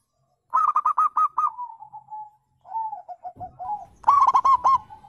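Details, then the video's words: Wild zebra dove cooing, played so other birds respond: a burst of rapid rolling coos, a long series of softer descending notes, then another lively cluster of repeated coos. "panggilan perkutut liar"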